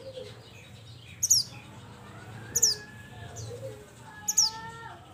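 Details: Mountain mantenan bird calling its companions: three sharp, very high descending whistled notes spaced about one and a half seconds apart, with soft lower chirps and faint background hum.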